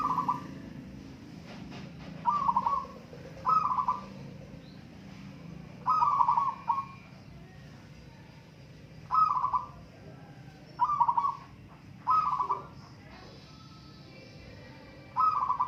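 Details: Zebra doves, a local type, in a song contest: about eight short gurgling, trilled coo bursts spread irregularly, with low background noise throughout.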